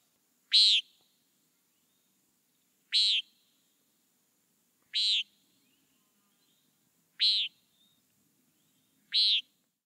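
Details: Common Nighthawk gives five short, buzzy, nasal "peent" calls, one about every two seconds, against a quiet background.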